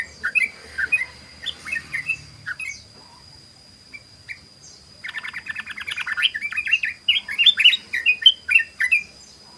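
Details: Sooty-headed bulbul song in ropel style, used to lure others: scattered liquid notes at first, then a long, fast, unbroken rattle of bubbly, warbling notes rising in intensity, over a thin steady high whine.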